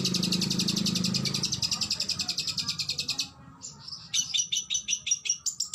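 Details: Oriental magpie-robin (kacer) in a training recording of fierce 'tembakan' bursts: rapid, evenly repeated high chirps in a dense run, then a brief pause and sharper spaced chips; a low hum underlies the opening.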